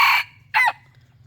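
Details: Decoy rooster ending a harsh crow, then a short strained note that bends downward, over a steady low hum.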